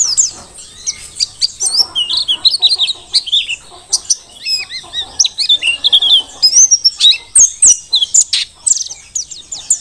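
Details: Wild-caught Merapi mountain white-eye, Dakun type, in full continuous song for tutoring other birds: dense, high, twittering phrases of rapid zigzag notes, with sharp chips mixed in, over a quiet background.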